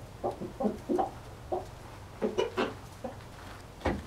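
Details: Small flock of three hens with a rooster: scattered short, low clucks in uneven clusters, some doubled, separated by brief pauses, against a low constant hum.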